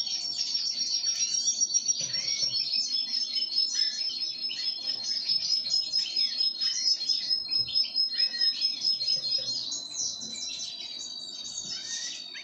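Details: Pine grosbeak being fed sunflower seeds, calling in a dense, continuous stream of short high chirps and twitters, with a steady high tone running underneath.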